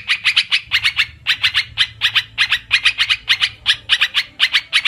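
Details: Olive-winged bulbul lure call used for bird trapping: rapid runs of harsh, chattering notes in short bursts, repeated roughly twice a second with brief pauses, over a faint low hum.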